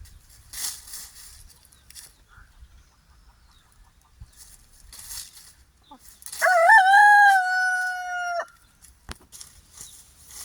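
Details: Pastured free-range rooster on an off-grid homestead crows once: a wavering start into a sustained level note lasting about two seconds, then an abrupt stop, with scattered rustling and hissy noises before and after.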